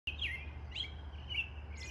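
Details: A bird sings in the morning: clear, high whistled notes with quick slurred phrases around two to three per second, over a steady low hum.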